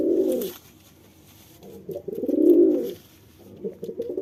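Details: A male pigeon courts a female with deep coos: a short coo, a longer swelling one after a pause, then the start of a third.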